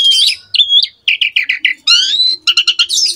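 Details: Master recording of an Asian pied starling for training young birds: scratchy high phrases, short bubbling notes in quick groups, a rising whistled glide and a closing jangle of sharp chirps.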